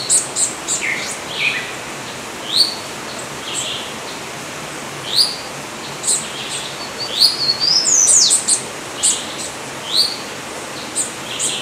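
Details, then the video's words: Yellow-olive flycatcher, known in Portuguese as bico chato de orelha preta, calling with brief rising high notes, once in a quick rising series, amid scattered faint chirps and background hiss. "bico chato de orelha preta (Tolmomyias sulphurescens)"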